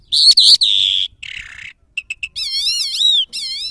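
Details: A Mashhadi lark sings in quick, varied bursts: high whistled notes, a buzzy phrase, clipped chips, then wavering warbles, all fast and uneven.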